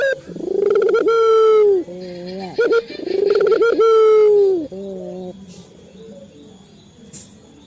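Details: Cooing of a male local Barbary dove, a lure to make caged doves call: two strong sustained coos with short lead-in notes and soft low murmurs between, then near quiet with faint ticks at the end.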